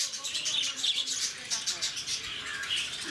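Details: Short bursts of piercing, high twittering from lovebirds at Bannerghatta Zoo, Bangalore, many birds squeaking together in quick pulses with a faint murmur of people in the background.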